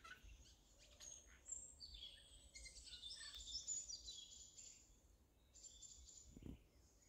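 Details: Amusing song of a Eurasian jay, compared to a child's laughter, with quick, squeaky, chattering notes packed into rapid bursts, then a pause and a shorter chirpy phrase, over faint low rumble.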